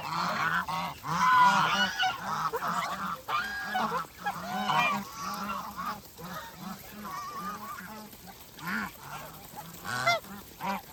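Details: A flock of farm geese honks while feeding, steady overlapping nasal calls roughly once a second, some louder bursts and rougher squawks mixed among softer murmuring honks throughout.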